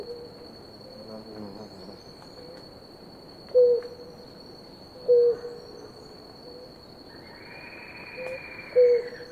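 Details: Blue ground doves, a pair at water, give three soft low hooting coos with slight downward ends, spaced about one and a half seconds apart, with a constant high-pitched hum and a longer higher buzzing note near the end.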